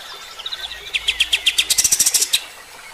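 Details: Kapas tembak singing for use in training other birds: a soft thin whistle at first, then a fast run of loud, sharp chirps that speeds up and stops suddenly.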